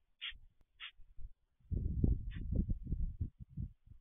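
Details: White stork recorded on 11 June 2023: a few short high bursts, then from halfway a dense, rapid train of hollow low knocking pulses, bill-clattering, running unbroken for over two seconds.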